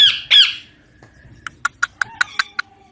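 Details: Young Indian ringneck parakeet, a pet talking parrot, gives two loud harsh squawks followed by a quick series of sharp clicking taps.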